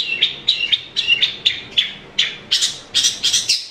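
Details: Long-tailed shrike (cendet) in prolific 'gacor' song, used to coax a caged bird that is reluctant to sing. Buzzy chirped notes repeat a little more than once per second and grow harsher toward the end.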